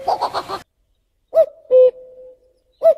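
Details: Common cuckoo singing: after a short burst of rustling noise, one clear two-note cuck-oo, the first note higher and the second lower with a faint trailing tail, then the start of another phrase.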